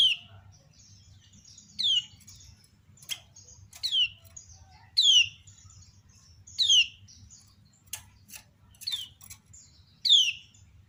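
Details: Many common ioras answering a calling female: a busy series of downslurred chirps from several birds, roughly every second, interspersed with sharp clicks and faint twittering, over low hum.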